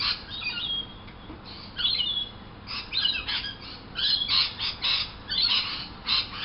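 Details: A morning flock of lorikeets outside a window makes scratchy, shrill squawks. Clusters of harsh notes rise and fall unevenly, separated by short quieter gaps.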